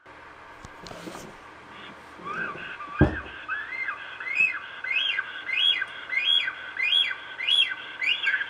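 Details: A Black stork pair at their Estonian nest, heard via web camera, give a run of high, rising-and-falling whistled notes, about one every half second, after a few thumps and rustles at the start.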